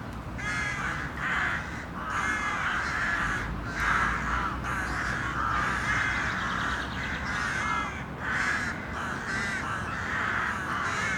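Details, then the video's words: Flock of crows in a city, calling continuously: harsh, overlapping caws from several birds, roughly one every couple of seconds, over a steady low urban rumble. "A Murder of City Crows. Relaxing Sounds."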